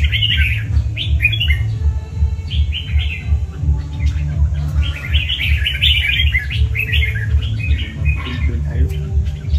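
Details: Singing red-whiskered bulbul (chào mào cọp) delivers repeated short chirpy whistled phrases, some rising and falling, spread across the stretch, accompanied by a persistent low rhythmic thud.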